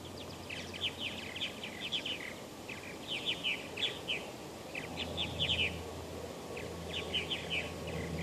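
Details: Western purple martins, including a banded male, at Steigerwald Wildlife Refuge in Washougal, Washington, late May 2013; bursts of rich gurgling chirps and warbles recurring every second or two over broad outdoor noise.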